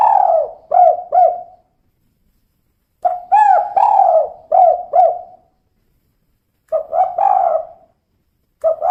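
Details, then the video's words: Female spotted dove giving the 'kuk 2' call: bursts of soft, hollow coos in short stuttering runs of two to four notes, with silent gaps between bouts; no other sounds. "Suara Burung Tekukur Betina Kuk 2"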